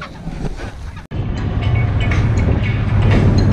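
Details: Loud low rumbling engine drone, like a ship or vehicle, that grows steadily stronger after a brief dropout near one second; no animal calls are heard.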